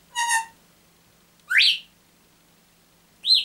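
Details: A pet African grey parrot that rises very early and wakes everyone gives three short calls: a harmonic squawk-like note, then two sharp rising whistles, each under half a second, with quiet pauses between.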